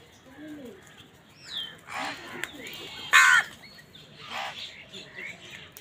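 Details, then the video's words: Crows contesting food with wild birds, giving several hoarse, broad caws spaced about a second apart, the loudest near the middle, over a background of faint twittering birds. "Crow bird live crowing sounds | কাকের ডাক Crow Sound | Crows fight with wild birds for food"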